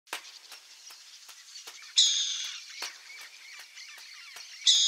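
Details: Wild burrowing owl in Brazilian countryside giving a harsh, hissing screech lasting about half a second, repeated near the end, between faint regular ticking clicks.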